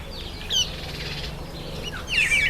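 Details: Southern masked weaver in breeding plumage during the September–October breeding season gives brief buzzy, sizzling chatters with scratchy high notes in two bursts over a low steady hum.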